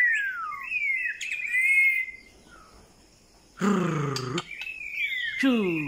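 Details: White-rumped shama song: clear whistled phrases, some sliding down and others rising, around the middle range. A loud harsh, buzzy burst interrupts near the end, followed by more whistles.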